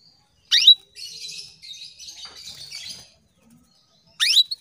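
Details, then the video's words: Female canary calling to males, captive in Indonesia; a rising chirp, then two seconds of soft buzzy warbling, then another rising chirp with short trailing notes. "PANCINGAN KENARI BETINA MEMANGGIL JANTAN"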